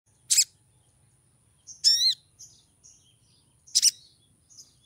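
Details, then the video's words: Female olive-backed sunbird in breeding condition calling to lure a male: sharp, very high chips near the start and end, a thin warbled phrase in between, then faint twittering notes. "PANGGILAN SOGON BETINA BIRAHI MEMIKAT SOGON JANTAN"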